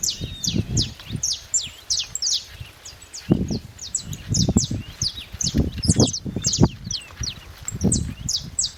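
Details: High chirping saffron finch song: quick, piercing downward-sliding notes repeated in a dense stream, with irregular low knocks and rustling beneath.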